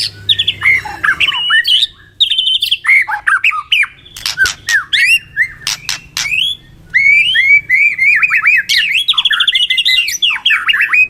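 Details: White-rumped shama duo singing a full, richly varied song as a training recording: bright whistled phrases, a burst of sharp cracking clicks midway, then rapid trilled and warbled runs.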